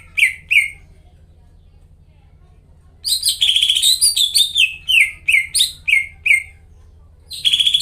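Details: Greater green leafbird singing vigorously, a prompt recording meant to coax silent or stalled leafbirds into singing; a brief burst of high chirps, a pause, then a fast stream of varied whistled, slurred and trilled notes, over a steady low hum.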